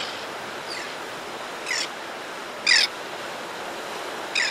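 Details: Close-up calls from an adult white-fronted tern as it arrives at the nesting ledge to feed its young: three harsh, rasping bursts roughly a second apart, plus a fainter earlier note, over a steady surf-like hiss.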